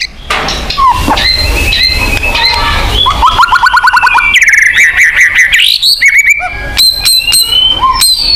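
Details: White-rumped shama song mix meant to spur a caged shama to sing, with varied whistles, rapid trills and sweeping notes over a noisy, dense background.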